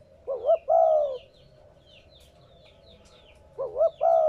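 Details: Spotted dove calling, used to stimulate newly caught captive doves to coo. Two phrases roughly three seconds apart, each a warbled double note and then a longer, falling coo. Faint bird twitters sound throughout.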